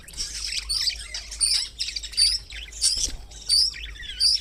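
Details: Budgerigar that likes spinach gives bright, high chirps and warbled squeaks in quick bursts, about one every second.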